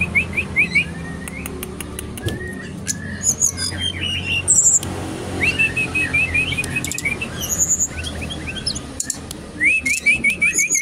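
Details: Brown-chested jungle flycatcher from Bali singing energetically at a bird kiosk: several bursts of quick repeated rising notes mixed with chattering, high piercing whistles and clicks from many caged birds, with faint traffic rumble.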